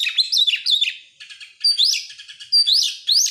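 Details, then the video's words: Lure song of an oriental magpie-robin meant to prompt other birds to sing; high upslurred whistles alternate with scratchy chattering notes, phrases repeated in quick succession. "buat pancingan Kacer sangat top buat burung mewah"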